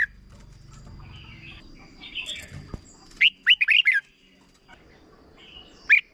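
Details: Short doubled song of a red-whiskered bulbul from Thailand, played for young birds to copy: after soft background chatter, one clear phrase of five rapid looping whistles, then a single bright note near the end.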